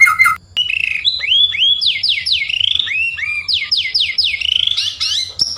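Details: White-rumped shama song meant to provoke a neighbouring bird: a long series of rapid upslurred whistles, repeated in quick succession with a ringing, almost electronic quality.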